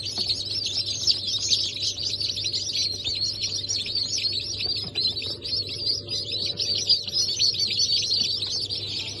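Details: Chicks just hatched on 15 March 2024 (Cream Legbar, Sultan, Maran Couper) keep up a loud, nonstop chorus of shrill, high peeps, with only a faint hum in the background.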